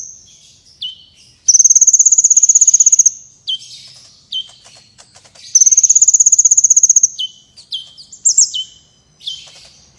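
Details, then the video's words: Strongly singing sunbird recorded for tutoring competition birds: long high trills of fast even pulses twice, separated by short dropping whistles and twittering notes. "Suara Burung Kolibri Gacor Berprestasi (Kolibri Wulung)"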